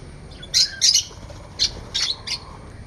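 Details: Parrots and parakeets giving short, sharp chirps in quick bursts, about six scratchy high notes spaced irregularly across a few seconds, with faint room hum behind.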